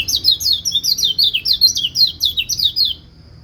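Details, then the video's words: White-eye song said to prompt other white-eyes to sing back: a rapid twittering run of high zigzag notes, about twelve quick chirps in three seconds, then quiet. "Pleci lain pasti ikut bunyi"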